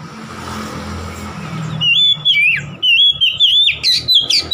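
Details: Oriental magpie-robin song meant to provoke a rival, starting after two seconds of low hum: rapid clear whistled notes, slurred and warbling, in short loud bursts that grow busier toward the end.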